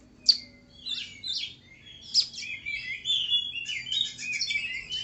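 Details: Tame oriental magpie-robin delivering a rich, continuous run of whistles, trills and chattering notes with loud sharp accents, over a quiet low hum.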